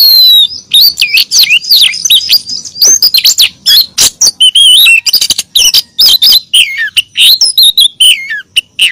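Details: Lure recording of a female oriental magpie-robin calling to the male: a dense, nonstop run of clear whistles, slurred upward and downward, mixed with sharp chips and scratchy notes, loud and busy throughout.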